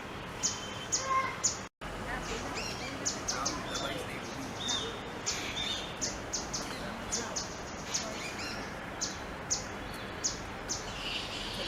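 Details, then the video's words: Grey-headed canary-flycatcher, a winter migrant from the Himalayas, giving excited thin, high, sharp chirps, often in quick pairs or short bursts, while foraging in winter at Sundarvan, Ahmedabad, India; steady background hiss. "Grey-headed Canary-flycatcher"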